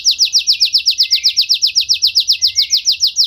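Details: Canary in full song, a long rapid roll of downward-sweeping whistled notes, about four per second, steady and bright throughout.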